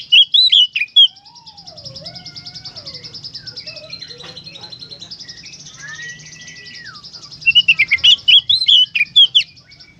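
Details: Oriental magpie-robin (kacer) singing in the gacor konslet style: loud bursts of sharp, rapid chattering notes at the start and end, with slower slurred whistles and a long steady whistle between. Throughout there is a fast pulsing buzz and a low hum.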